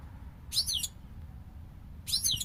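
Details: European goldfinch kept as a hobby bird, singing two brief, bright, tinkling twitter bursts about one and a half seconds apart, high and liquid, over a low steady background hum.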